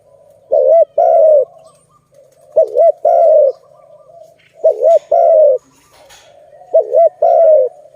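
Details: Malay dove, recorded in a trapping context, calling in evenly spaced phrases roughly every two seconds. Each has a rolling double note and then a sustained smooth coo, against faint chirps.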